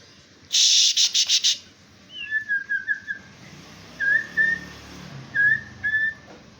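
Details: Male white-rumped shama (murai batu) singing: a loud burst of rapid high pulsed notes opens, then short whistled phrases around mid-high pitch come in three bursts with pauses between, over a quiet low hum.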